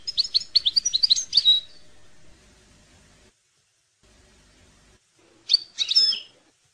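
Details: European goldfinch song used for tutoring young goldfinches: a quick run of bright, high twittering notes, then a pause and a short closing burst of chirps.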